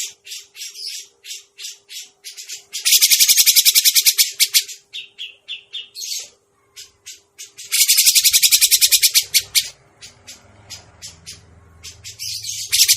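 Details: Grey-cheeked bulbul lure sound for trapping birds: spaced harsh notes alternating with two loud, dense bouts of rapid rasping chatter, fading into scattered calls over a low rumbling background near the end.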